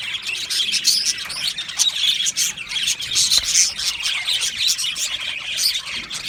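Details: Budgie colony chattering in its aviary, happy birds giving a steady wash of high scratchy chirps and warbles, with occasional harsher squawk-like bursts and no pause.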